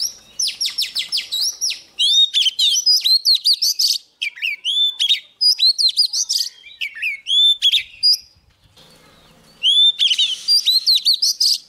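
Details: Young Oriental magpie-robin singing vigorously as a wild bird comes near: rapid runs of bright whistled notes, upslurs and sharp chirps, delivered in bursts of about two seconds with brief pauses.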